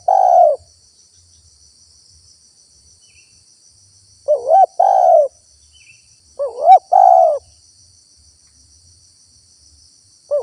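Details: Spotted dove cooing to lure wild doves: a fading long coo, then two phrases of a rising wobbling coo and a steady low coo about two seconds apart, a click at one point, and a thin insect buzz throughout.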